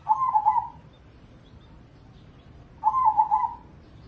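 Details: Zebra dove, a crossing-bred perkutut from Indonesia used as a lure to make other doves sing. It is a prize-winning contest bird in the 100–250 point class that sings morning, noon and night. Two low, rolling cooing phrases, each with three throbbing pulses, come about three seconds apart.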